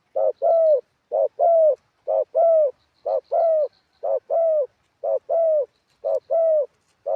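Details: Spotted dove kept as a ground decoy in Thailand, singing wild-style phrasing with varied accents. Pairs of low coos, a short note then a longer bending one, repeat steadily about once a second over a quiet background with faint higher chirps.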